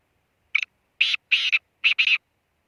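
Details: Black francolin calling: one short harsh note, then a rasping grating phrase of paired notes, then a final grating pair, all within about two seconds, with silence around it.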